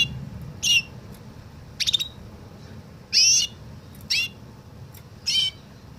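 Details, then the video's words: Canary giving a Woodlark-like Tourli song: separate high, bursting phrases with whistled notes that slide down, including a short stuttered triple note, spaced by pauses of up to a second. "Καναρίνι λέει Τουρλί - Canary sings Woodlark"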